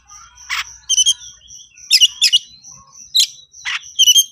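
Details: Oriental magpie-robin in konslet style, highly worked up and calling an opponent to fight: scattered harsh chattering bursts over a steady, evenly pulsed high tone repeating throughout.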